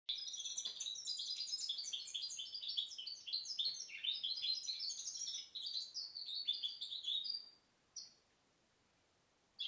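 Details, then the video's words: Goldfinch hybrid from 2010, singing a fast, twittering run of high, bright notes with chirps and buzzy slurs for about seven seconds, then a lone note and a pause before it resumes. "Mixto jilguero pio 2010"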